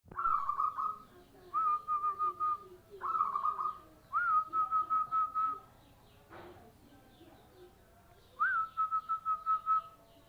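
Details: Local zebra dove with a clear voice, giving phrases of a sharp rising whistle followed by a rapid run of even trilled notes, each phrase about one to one and a half seconds, repeated five times with a brief click between.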